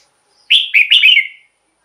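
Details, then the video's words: Single red-whiskered bulbul phrase, played to rouse caged birds or as a decoy: about one second of cheerful slurred whistles, dipping and rising, then trailing off. "เสียงนกกรงหัวจุก สำหรับต่อ หรือ เปิดให้นกคึก เสียงเพราะๆ"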